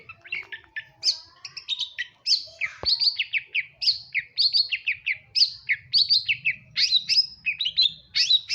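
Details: Madura long-tailed shrike in full, active song: a dense, rapid chatter of high, varied chirps and short trills, repeated almost without pause, with faint low rumbling beneath.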